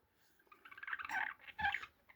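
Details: A female budgerigar gives harsh, raspy chattering bursts, scolding in annoyance at being touched.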